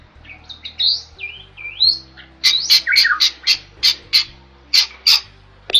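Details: Bali myna song opening with smooth rising and falling whistles, followed by a string of sharp harsh high chips in irregular bursts; faint low hum throughout.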